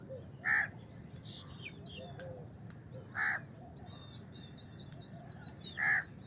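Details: House crow calling with three separate harsh caws, roughly every two and a half seconds, while small birds chirp and trill at high pitch between them.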